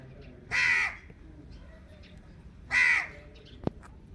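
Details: Indian ringneck parakeet giving two loud, harsh screeches about two seconds apart over low background noise, with a sharp click after the second.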